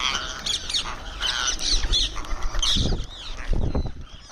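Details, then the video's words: Ringneck parrot vocalizing while eating: harsh, scratchy squawk-like notes in short bursts, interrupted by low thumping and rustling noises, likely from feeding or movement. "Cute Ringneck Parrot Making Sounds While Eating"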